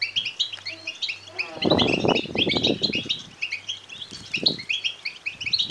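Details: European goldfinch chicks begging, meant to excite males toward song and mating; high overlapping chirps throughout, partly covered mid-clip by a loud burst of flapping and rustling, then quieter thumps.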